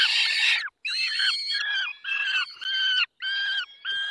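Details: During feeding in the Barycz Valley at 10:22 on 20 May 2021, a peregrine falcon gives about seven clipped, grating squawks in quick succession, each a short harmonic-rich burst.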